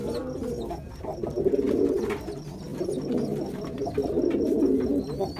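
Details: Jacobin pigeon, a domestic fancy pigeon breed, cooing indoors: low, throaty rolling coos in a repeated series of pulsing phrases, swelling and fading, with faint room echo and no other clear sounds.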